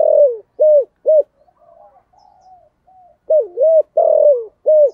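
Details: Loud 'thổ' style calling of a spotted dove, carrying across the neighbourhood. A phrase of three hollow coos ends, then quiet low murmurs follow. A fresh phrase starts with a dipping coo, a long coo and a short closing note.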